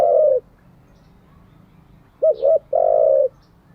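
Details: Spotted dove calling for decoy-bird training: a sustained low hoot, a pause, then a two-part wavering coo followed by a longer level hoot, clear against faint low rumble.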